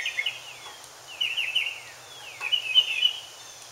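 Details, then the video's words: Mockingbird singing, looking for a mate: three buzzy, trilled phrases, each sliding downward at the end, roughly 1.2 seconds apart, against a quiet background. "Mockingbird Singing :ooking For Girlfrend !!"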